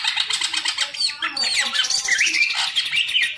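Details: Caged green leafbird kept for bird-song contests, pouring out a dense, fast run of buzzy chatter and sharp whistled slurs, with harsh scratchy notes packed together and no pauses.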